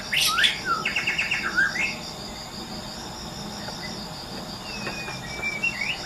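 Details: Wild white-rumped shama in natural habitat, singing a quick burst of whistled, sliding phrases and rapid trills in the first two seconds, then fainter distant notes, over a steady high insect drone.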